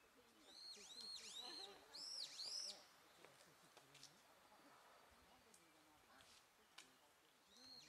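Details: Japanese pygmy woodpecker youngsters calling in a rapid cluster of high, bending, harmonic notes for about two seconds, followed by a quieter stretch with scattered faint clicks and a final call.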